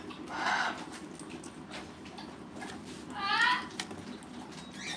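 An umbrella cockatoo gives two short, harsh, nasal squawks about three seconds apart over a low indoor room hum.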